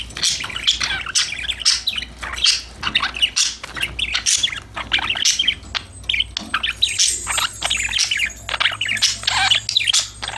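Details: A group of happy budgies singing and chattering while playing, recorded without filtering: continuous busy warbling made of rapid scratchy chirps, clicks and short squawks.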